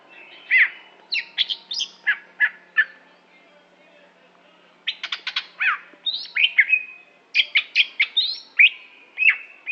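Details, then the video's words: Greater green leafbird from Aceh singing a varied, lively song of sharp chirps, slurred whistles and short buzzy bursts in quick clusters, with a pause of about two seconds mid-phrase; otherwise quiet. "Cucak Hijo Aceh"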